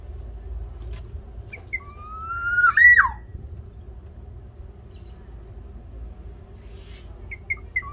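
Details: Black-naped oriole of Java, singing energetically as a prompt for captive birds: a few faint chirps, then a gradually rising whistle ending in a loud looping swoop, with short chirps and clicks afterward.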